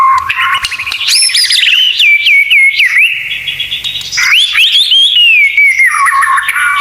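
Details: Full 'isian tembakan' tutoring song of a white-rumped shama, meant to teach other shamas: a continuous, varied stream of rich whistles, fast trilled runs, swooping slurs and falling notes, loud throughout.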